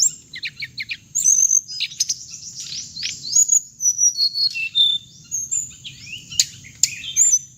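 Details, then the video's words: Hồng hạnh bird recording used as loudspeaker playback for trapping birds, with rapid high twitters, sliding whistles and sharp chips packed closely together, and a constant high-pitched hum behind them. "tiếng chim hồng hạnh âm thanh để bẫy loa"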